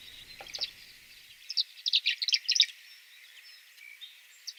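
Tree Swallow giving a quick burst of high, liquid twittering chirps, bunched together over about a second, with a few scattered thin notes before and after.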